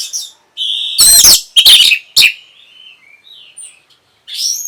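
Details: Orange-headed thrush singing to spark breeding mood and a response: a burst of loud scratchy, crackling notes mixed with bright whistles, followed by soft quiet twitters and a last rising trill.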